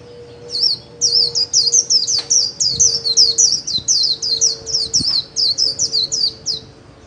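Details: White-eye in the líu singing style, a kept bird trained daily: an unbroken chain of high, sharp, downslurred notes about three per second for six seconds, with a faint steady hum and a few clicks.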